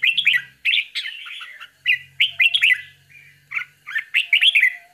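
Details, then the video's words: Bulbul mother feeding her babies: bursts of bright, slurred chirps and squeaky notes in clusters about every half second to a second, separated by brief pauses, over a faint low hum. "How is Bulbul bird feeding to her Babies"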